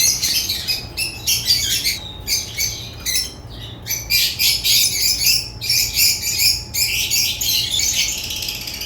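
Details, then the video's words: Rapid, repeated squawky chirps from African lovebirds, about three or four sharp notes per second in jerky runs, harsh and high, with short breaks between groups. "Lovebird chirps sounds"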